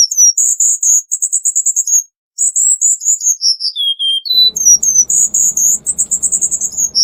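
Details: Cuban bullfinch delivering dense 'tembakan rapat' song for tutoring: fast high chips and whistles stepping downward, a brief pause, then renewed rapid high phrases over a faint low hum.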